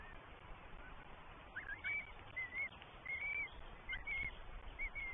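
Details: Three Northern goshawk chicks at a nest in the New Forest, 20 May 2023, fed by mother and then father; high whistled begging notes, each rising then held level, repeated about six times in quick succession over low background rumble.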